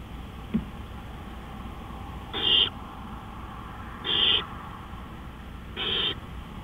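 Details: Night-time owl calls at 3:15 AM, 20 April 2013: a soft click, then three harsh, breathy screeches about every one and a half to two seconds, over a low constant hum.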